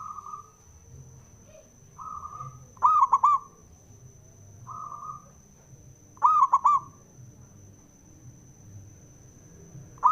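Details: Loud male zebra dove coo phrases, each three or four tumbling notes, answered by softer, more distant cooing between them; a call meant to provoke other doves into singing, with a faint high whine behind.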